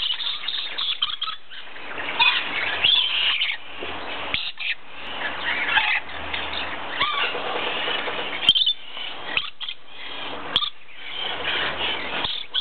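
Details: Two red phase dusky lories, kept birds: loud, harsh screeching and raspy squawks pouring out almost without pause, with a few sharp clicks and brief gaps between bouts.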